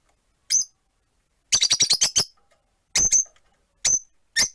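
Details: Rosy-faced lovebirds, four caged birds on a perch by a window, giving sharp high chirps: single notes, then a fast burst of about six, then more spaced single chirps.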